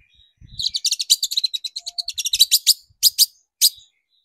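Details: Long-tailed shrike lure for exciting shrikes into singing: a fast, accelerating stream of dry chattering notes that slows into a few separated loud chips, with some low thumps at the start.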